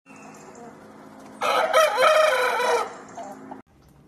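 A rooster gives one loud, harsh crow lasting about a second and a half, rising then trailing off, over a low steady background hum.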